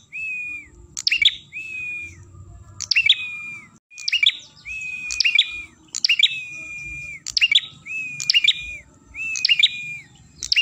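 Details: Song of the ashy tailorbird used to lure birds: repeated phrases of a held, slightly arched whistle and an abrupt chattering burst, coming steadily about every 1.3 seconds against low background rumble.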